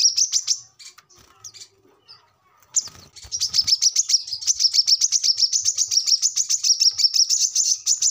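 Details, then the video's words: Brown-throated sunbird recording meant to train captive birds. A brief run of shrill chips and scattered soft notes is followed by a thump, then a long, dense, steady stream of rapid high twittering. "kolibri kelapa | manggar | wiceh | korlap ngobra gacor"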